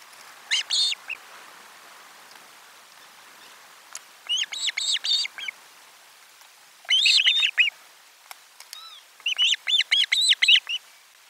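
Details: Osprey on a nest camera, 12 July 2022, fish delivery at lunchtime. Shrill, repeated whistled notes in tight series, the last run longer with about eight rapid chirps.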